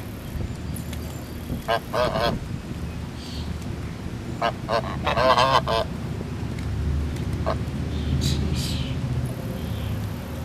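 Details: Geese at a grand resort honk in two short clusters of harsh, nasal calls separated by quieter stretches, over a constant low-pitched rumble.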